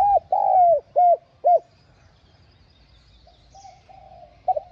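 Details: Spotted dove coos meant to prompt captive, newly caught doves to coo: a long sliding coo followed by three short arched notes, then quieter distant cooing and low background rumble.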